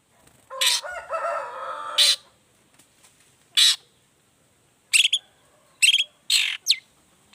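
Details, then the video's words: Long-tailed shrike in the 'toet toet' variation lure used to get other shrikes singing. Opens with a long nasal rasping phrase, then short harsh notes in irregular ones and pairs. "pancingan cendet gacor toet toet variasi"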